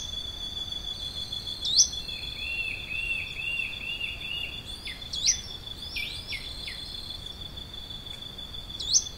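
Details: Plain xenops in Santa Maria do Salto, Minas Gerais, Brazil, giving short high upslurred notes plus a quick run of descending whistled notes, with a steady insect hum and a low buzzy trill behind.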